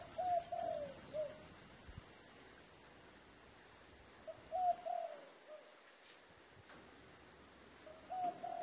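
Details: Three low cooing phrases from a dove in the 'thổ đồng' voice, spaced about four seconds apart. Each phrase runs short coo, two long coos, short ending note, with quiet hiss between phrases.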